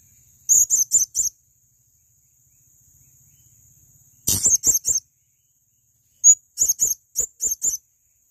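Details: Male blue-crowned hanging parrot for training other birds: three runs of high, sharp, squeaky notes, four to six per run, each run separated by short silences, with one brief thin note before the last run.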